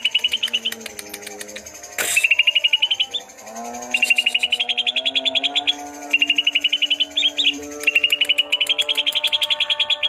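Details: Greater green leafbirds, twelve chatty birds in full song, pour out fast runs of sharp high chirps in bursts of a second or two, with brief pauses and one sharp crack, over a continuous low tonal drone.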